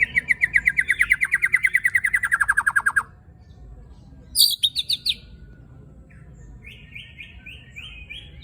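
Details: White-rumped shama with rough-fill 'besetan' song, played to stir other shamas: a long, fast, evenly pulsed trill lasting about three seconds, a short high buzzy burst, then a few soft repeated notes.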